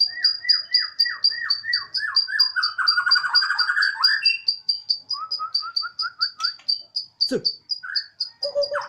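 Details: Caged Bornean white-rumped shama of the 'odong-odong' type singing spiritedly, its siren-like song a steady train of high pulsed notes over lower descending whistled slurs, with one sharp downward sweep near the end.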